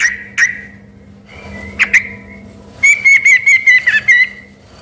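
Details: Yellow-vented bulbul singing so well that people mistook it for a white-rumped shama: a few clear whistled notes, then a fast run of bright, even whistles, over a steady low hum.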